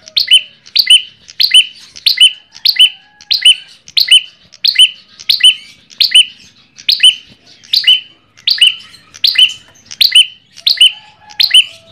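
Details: An ashy tailorbird repeats a sharp, high, chirping phrase about every three-quarters of a second, loud and steady, used as a lure call; ashy tailorbird song.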